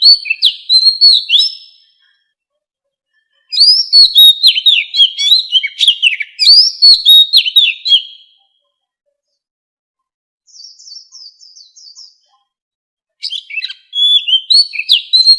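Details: White-rumped shama in standard wild 'forest voice' song for voice-training captive fighting birds: several bursts of rich, varied whistles and rapid slurs separated by pauses, with a soft quick series of ticking notes between bursts.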